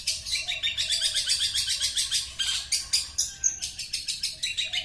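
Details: A long-tailed shrike from Sepudi Island sings a fast, scratchy stream of high chattering notes, about four a second, with little pause and no other clear sounds.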